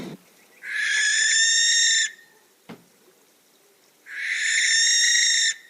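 A Barn Owl gives two long, harsh, hissing screeches, each about one and a half seconds, with a short click heard between them.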